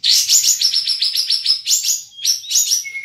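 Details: Caged kapas tembak bulbul from Singkawang, West Kalimantan, entered in an online songbird contest, delivering a fast, continuous burst of high, bright chirps and trills repeated more than once a second, ending in a thin whistled note.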